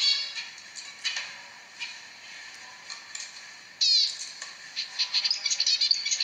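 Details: Zebra finch giving nasal, buzzy notes, some sliding, scattered at first and then running into a quicker series near the end.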